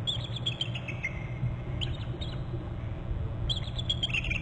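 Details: Bald eagles at their nest on Hornby Island, January 28 at 16:30, both trilling after one flies in to a short left branch: thin high chittering notes in bursts at the start, middle and end over a steady low rumble.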